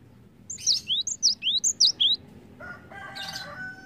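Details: Cinereous tit song used as a lure to stimulate other birds to sing: a quick run of eight high chirps alternating downward and upward sweeps, followed by a fainter buzzy, tonal note.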